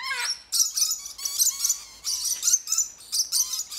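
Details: Captive blue-throated macaws in a conservation breeding programme at Paradise Park, Hayle, Cornwall, give harsh, screechy, grating calls in rapid bursts of about one per second, with other parrots calling at once.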